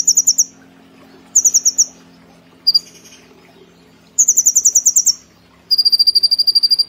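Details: Caged brown-throated sunbird singing in the energetic competition style, a master recording for training cage birds. High, rapid trills of sharp ticking notes come in short bursts about a second apart, with a steady low hum underneath.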